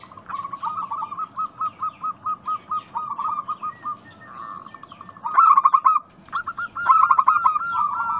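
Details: Local zebra doves sing to prompt other doves to answer: a steady series of soft evenly spaced coos, then louder hooked staccato bursts from a second bird overlapping the first.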